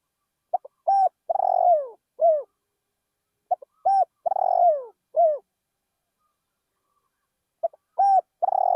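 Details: Decoy spotted dove singing in a rice field. It gives three cooing phrases, each opening with quick clipped notes, swelling into a burred, descending purr and ending in a short coo. The phrases come about every three seconds and the background is silent.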